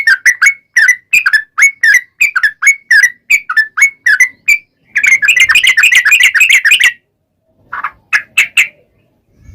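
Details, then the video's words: Yellow-vented bulbul giving a long singing run as a lure for other yellow-vented bulbuls: bubbly slurred notes at a brisk pace, then a dense fast chatter, a short silence, and a few scattered final chirps. "KICAU SUARA trucukan gacor ropel panjang pancingan trucukan agar bunyi MENJADIKAN trucuk gacor NYAUT"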